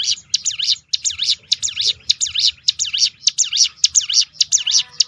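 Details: Hill prinia (ciblek gunung) firing a 'tembakan' roll to provoke other birds: an unbroken string of bright, high, dipping-and-rising notes repeated evenly, almost twice a second, throughout.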